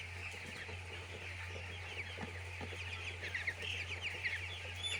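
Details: Young chickens on a poultry farm giving a busy chorus of high peeps that grows louder toward the end with several bright chirps, over a continuous low hum.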